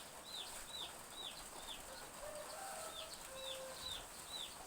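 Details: Drizzly village morning as chicks give high, drooping peeps in an irregular series, while faint thin whistles from other birds and the hiss of soft rain sit underneath.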